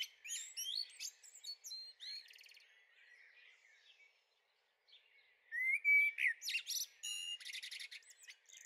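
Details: Garden recording from 23 May 2013 of a second young Eurasian blackbird. Rapid high twitters and chattering notes fill the start. A quiet stretch follows, then loud rising whistles and rattling bursts.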